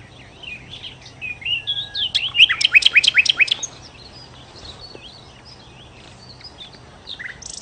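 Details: Sikatan londo, a nightingale, singing energetically: varied slurred whistles build into a loud series of rapid, sharp, buzzy strokes, then quieter scattered chirps and a brief scratchy note near the end.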